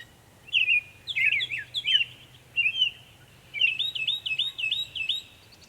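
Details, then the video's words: Northern mockingbird in Savannah, New York, 23 May 2021, making many sounds: bursts of sharp, squeaky high notes, then a run of quick repeated wavering chirps, about five in a row. "Northern mockingbird Mimus polygottos video, making many sounds"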